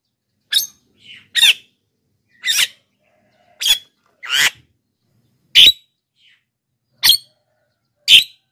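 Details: Black-winged myna singing lively, used to lure wild birds and prompt lazy captive birds to sing: short harsh, buzzy squawks about once a second, some paired with fainter chirps, clean quiet background.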